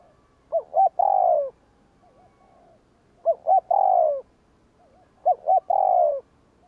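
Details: Spotted dove cooing in the 'gù kích' style meant to provoke wild doves: three phrases about two and a half seconds apart, two short notes then an extended descending coo, softer faint coos in between.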